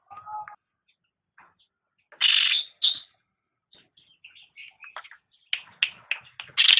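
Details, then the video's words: Cucak rante song used as training material for pet birds: a brief lower whistle, then loud harsh chattering bursts and a run of quick varied chirps and notes, growing denser toward the end. "Suara Burung Cucak Rante | Gacor"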